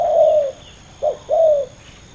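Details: Spotted dove, one of two competing males: a drawn-out falling coo, a short pause, a brief clipped note, then another longer falling coo, over a low steady hum.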